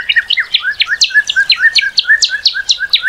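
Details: Northern cardinal giving a fast, even string of about twenty short whistled notes, each sweeping sharply downward, repeated steadily for three seconds.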